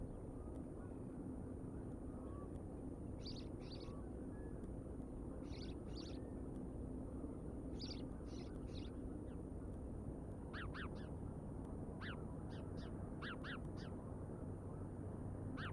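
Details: Bald eagles in Decorah recorded on 31 August 2022 at 19:02. Short high chirps come in pairs, then bursts of sharp descending whistled notes, set over a steady low rumble of background noise.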